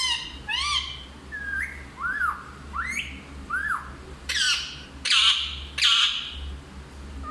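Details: Talking parrot speaking Hindi: several short rising whistled syllables, then louder, rougher squawk-like phrases in close succession, with a low steady hum throughout.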